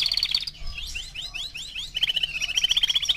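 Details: Four-month-old male canary singing: a fast high trill, then a run of rising whistled slurs, then a rapid rattling trill with bright repeated notes; faint low hum underneath.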